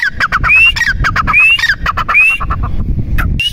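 A partridge gives loud, ringing calls: harsh clipped notes mixed with high, rising whistles, repeated about every second, over a low rumble of background noise.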